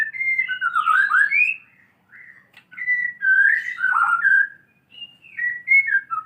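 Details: White-rumped shama learning canary song, delivering loud, rich whistled phrases that warble up and down, separated by brief pauses, in a quiet setting.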